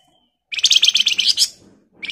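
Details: Flamboyan delivering an emotional, tightly packed buzzing song meant to lure other birds into answering. It is a sudden, fast run of high, scratchy pulses lasting about one second, then a fresh burst begins.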